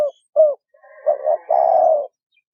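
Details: Spotted dove pair, male and female, calling to lure wild doves: two brief low coos, a wavering double note, then one sustained, throaty coo lasting about half a second before silence.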